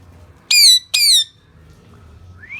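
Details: Pet Indian ringneck parrot letting out two loud, harsh squawks in quick succession, each a stacked, slightly falling screech, followed by a soft upward-sliding whistle.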